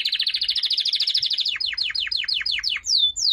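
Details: Canary song: a fast, even trill of rapid notes, then a slower run of descending whistled sweeps, ending with two clear downward slurs.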